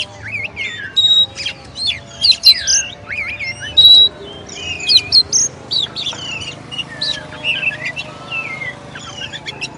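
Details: Oriental magpie-robin, known locally as kacer, in a varied song of whistled notes, sliding phrases and sharp clicks, with steady pure tones held between bursts and a faint low hum beneath.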